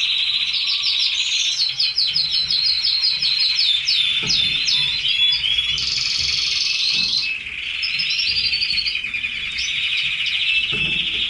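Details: Red canaries, several kept birds, in full song: a loud, continuous, high-pitched stream of rapid trills and rolling twitters. A long steady whistled note runs mid-way, with faint knocks beneath.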